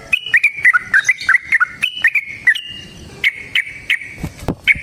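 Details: Sooty-headed bulbul in long ropel fighting song, played to stir other birds into replying. A quick string of bouncing chirps, a pause, then spaced single notes and a sharp click.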